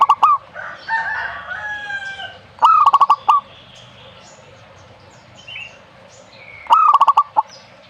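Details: Zebra dove song in three short phrases of fast, clipped cooing pulses, with other birds' drawn-out whistles and chirps heard faintly around them.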